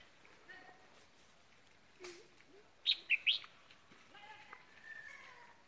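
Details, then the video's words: Decoy red-whiskered bulbul in captivity sings a brief, loud phrase of three quick ringing whistled notes, set between quieter scattered chirps and a faint low murmur. "ra tết có chào mào mồi"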